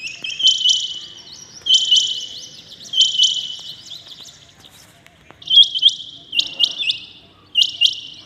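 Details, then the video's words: Early-morning calling of a rain quail, a bulara, with bursts of high, sharp, two-part notes repeated about every 1.3 seconds. The notes are sometimes clipped and closely spaced, with near silence between bursts. "Rain quail calling 2021 | common quail calling early in the morning | چنگھا بٹیر کی زبردست آواز"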